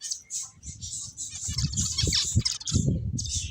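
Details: Finches chirping: a busy stream of high, thin chirps and short tweets that overlap almost without pause, with some brief gaps, over a steady low rumbling and thumping background.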